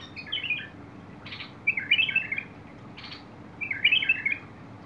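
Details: Bulbul song from 21 August 2022: three brief liquid, warbling phrases of quick up-and-down notes, each preceded by a sharp rustling click, with quiet pauses between.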